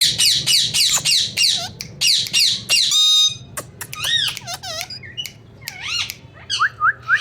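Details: A talking pet rose-ringed (Indian ringneck) parakeet gives rapid, harsh squawks, then shorter swooping whistled syllables in a chattering, speech-like run, imitating words such as "mithu" and "me too."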